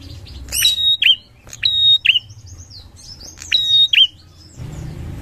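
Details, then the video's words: Bar-winged prinia lure song, three strong phrases of a flat sustained high whistle ending in a twisting buzzy downslur, spaced about one and a half seconds apart, faint low hum and rumble behind. "Prenjak gacor ngalun"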